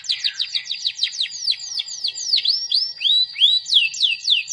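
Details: Energetic canary song with varied phrasing: a steady series of sharp, descending whistled slurs repeated about three times a second, shifting into looser swooping notes and upward-curving chirps.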